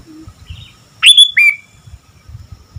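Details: Sooty-headed bulbul in active song gives one loud phrase: a bright upward-swept whistle run straight into a lower, falling slurred note. Soft faint chirps precede it over a quiet low background.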